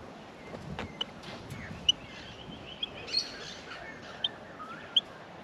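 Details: Australian miner nestlings in the nest while being fed: sharp, high chirps scattered every second or so over a faint continuous high hiss, with low background rumble.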